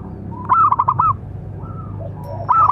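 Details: Local zebra dove with a big voice, calling to train and provoke other doves: a stuttered burst of quick cooing notes, then a soft drawn-out coo and another burst starting at the end, over a low steady hum.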